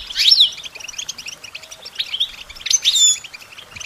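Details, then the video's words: European goldfinch singing for songbird training: two bright phrases of sharp, sweeping twitters, with softer chatter between them. "Goldfinch Training With Stimulating Support for Songbirds"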